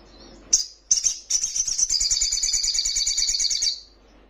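Crimson Sunbird: a few sharp, very high chips, then a rapid, thin, buzzy trill that runs for about two seconds before cutting off.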